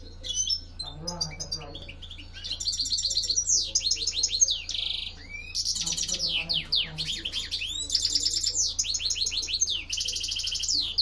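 A European goldfinch sings a fast, tinkling run of liquid twitters, buzzy trills and sweeping notes without pause. A faint low hum and murmur sit underneath.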